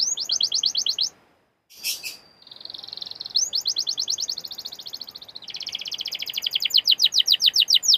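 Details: Canary singing in a recording meant to stimulate canaries: rapid high trills, a brief pause and sharp note, then long rolling trills that speed up and grow louder, over faint background hiss.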